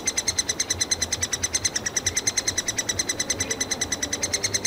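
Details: Three-toed woodpecker nestlings demanding food from a tree hollow in a Yekaterinburg forest park: an unbroken, steady stream of high, thin squeaks, roughly three to four each second, with no pauses.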